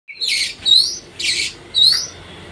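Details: Oriental magpie-robin, played to provoke other birds. Harsh, raspy bursts alternate with short rising whistled notes, about four phrases in quick succession, over a low background hiss.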